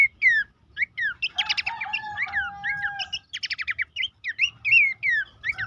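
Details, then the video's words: Song of a Horsfield's babbler, meant to stimulate caged birds to sing: loud slurred whistles, a steady held tone under a burst of chatter, then fast repeated notes and twisting whistled phrases. "terapi pancingan dan masteran burung pelanduk semak bikin aktif rajin bunyi"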